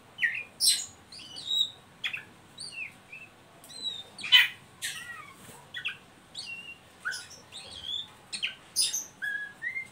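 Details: Oriental magpie-robin performing a ngeriwik call meant to stimulate young birds into singing, with scratchy bursts, quick up-slurred whistles and sharp high notes in a lively, irregular sequence over a quiet background.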